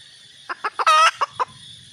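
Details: Brief burst from a red junglefowl hen: a few sharp clucks around one loud, harsh drawn-out squawk, then quiet.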